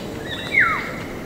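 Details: A single bright, fluty whistle from a Black-naped oriole that starts high and glides downward quickly, heard over a low steady hiss.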